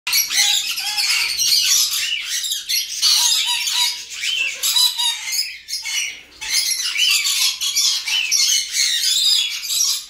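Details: Adult pair of red-collared lorikeets give harsh, rasping screeches and chatter in three long bursts with brief pauses, a few faint lower notes between bursts.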